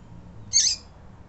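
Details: A single brief, piercing chip note from a female double-collared seedeater, uttered to excite and stimulate males, standing alone against faint low background noise.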